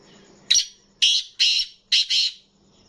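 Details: Kept black francolin calling: a loud, harsh, grating phrase of five clipped notes, the last two run together, spanning about two seconds over a steady low hum.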